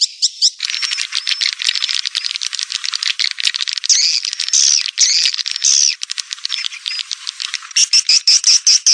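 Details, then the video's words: Swiftlet lure call: a dense, continuous stream of high, rapid chirps and twitters, layered and overlapping with almost no pause; the recording sounds edited or processed. "SUARA SUPER PANGGIL WALET"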